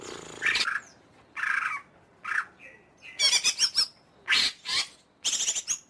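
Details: Greater green leafbird singing in irregular bursts, roughly one per second: buzzy rattles, a brief whistled note, and scratchy high chattering phrases.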